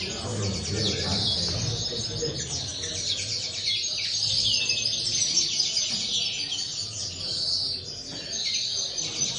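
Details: Common linnets kept in an aviary produce a steady stream of fast, high twittering phrases, notes tumbling about two to three per second, with low mechanical hum in the background.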